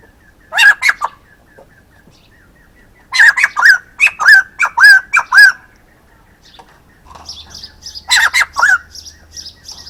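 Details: Calling male white-crested laughingthrush: repeated bursts of loud, rapid, cackling laughter-like notes, a long run in the middle, with faint high chirps of another bird and a low hum near the end.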